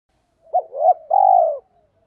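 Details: Spotted dove giving a song meant to excite decoy birds: a short hooted note, then a longer swelling coo, and a sustained, slightly vibrating low coo that fades away. The background is silent.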